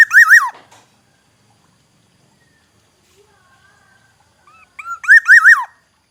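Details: Black-naped oriole song recorded in Aceh, Indonesia. The clip begins in the middle of a loud fluty phrase. A full phrase follows after about four seconds: soft short whistles, then three rolling, rising-and-falling notes.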